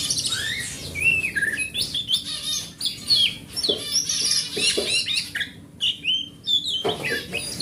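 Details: Wild forest oriental magpie-robin, large-bodied and described as grade A, singing as a lure to draw silent kept magpie-robins into song. A rich, busy string of varied whistles, trills and sharp chirps, high-pitched, with brief pauses between phrases.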